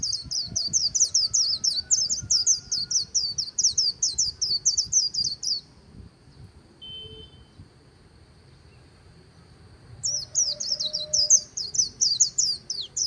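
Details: White-eye "líu" song recorded beside the Kỳ Cùng river: a long, quick chain of high, squeaky twittering notes, then about four seconds of near silence, then the rapid twittering resumes.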